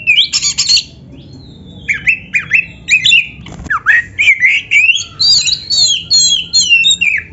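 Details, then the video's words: Oriental magpie-robin song recorded as a tutor track for training captive birds: bright whistled phrases mixed with harsh squawky notes, rising and falling slurs, bursts about every half second, quiet background. "Suara Burung Kacer yang Cocok Buat LATIHAN"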